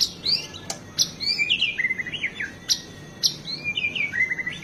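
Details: White-rumped shama singing vigorously, with a song full of varied inserted phrases, used to stir other birds and tutor them: sharp high buzzy bursts alternate with looping, slurred whistles that drop and rise, phrases repeated about every two seconds.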